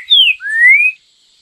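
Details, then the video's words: Green-winged saltator in the "Bom Dia Seu Chico Boi" song style favoured by bird keepers: the phrase's close, a short falling whistle, then a drawn-out rising whistled note, with quiet afterwards. "Trinca Ferro Bom Dia Seu Chico Boi o Canto Mais Apreciado Pelos Passarinheiros!!!"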